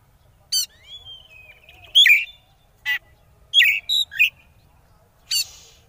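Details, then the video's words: Konslet-style oriental magpie-robin song meant to provoke rivals into singing: a thin drawn whistle followed by loud raspy chattering notes and sharp metallic chips, irregularly spaced. "Suara Pancingan Kacer Konslet Ngeplay Jamin Lawan Ikut Konslet"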